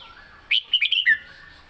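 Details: Red-whiskered bulbul giving one short phrase in the southern Thai song style: four or five loud, clear whistled notes in quick succession, the last dropping lower, over a quiet background.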